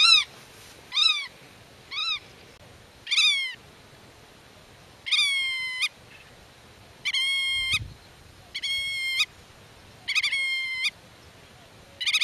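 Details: Black-tailed godwit protecting its nest, speaking with chicks in the grass and defending territory against intruders: a run of quick short arched yelps, then a series of long, flat, nasal drawn calls.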